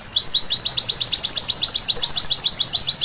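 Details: Night-time white-eye song meant to spur birds into vigorous singing: a steady, rapid string of thin, very high slurred notes, about seven per second, evenly spaced across the whole stretch.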